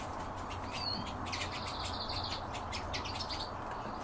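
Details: European bee-eater calling: a short rolling, trilled note, then a longer burred trill held steady for about a second, followed by fainter trilled bursts, over crackling clicks and a steady low rumble.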